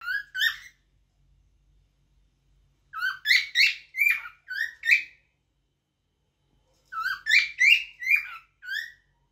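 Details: Cockatiel song: three bursts of short, rapid whistled and chirping notes with rich overtones, rising and falling, each burst about two seconds long, separated by silence; no other sounds.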